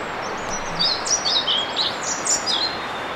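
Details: Male European pied flycatcher singing to advertise his territory to potential mates: a quick run of short, high, sweet chirping notes, some slurred, over a steady hiss of background noise.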